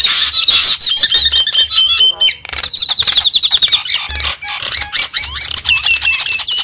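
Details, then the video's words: Javan myna lure recording for attracting wild birds: rapid rising and falling whistled phrases over constant rattling chatter, several voices overlapping. "suara pikat burung jalak kebo"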